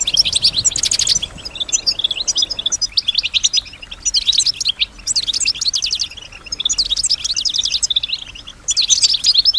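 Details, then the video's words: Pet female European goldfinch imitating other sounds in her song: repeated bursts of quick, high, jangling trills and twitters, each lasting about a second, with short pauses between them. "Solutions to keep your goldfinch healthy and singing with strong stimulation"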